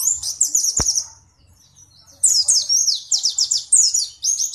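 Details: Indonesian pleci white-eye (Zosterops), kept as a contest songbird, singing ngalas ngeroll: rapid high rolling chirp runs, a single sharp click, then more loud bursts of fast, slurred high notes.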